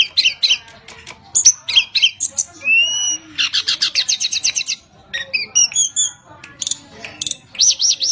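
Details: Caged Sunda robin (tledekan gunung) from Java singing vigorously, a song used to lure other birds: rapid varied high whistles, sharp chips, buzzy trills and down-slurred notes in quick bursts, with one long pause mid-way.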